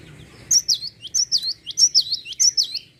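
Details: Java sparrow song for provoking other birds to sing: a steady, loud series of high, bell-like chirps, each sliding downward, about a dozen notes in two and a half seconds.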